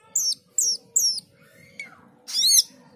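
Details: Male Asian glossy starling in full song: three clear downslurred high whistles about half a second apart, a soft sliding note, then a loud harsh buzzy burst and one sharp upward chip, over a low steady hum.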